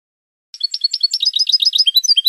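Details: European goldfinch, Spanish song type recorded to train cage birds, bursting in after a brief pause with a hurried, chattering stream of high liquid twitters and tinkling notes that keeps going to the end.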